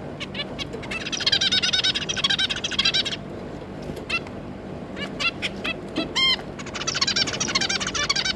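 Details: Zebra finch pair and their three juveniles, June 2022: stretches of busy, buzzy chattering broken by single sharp notes and one loud honking call.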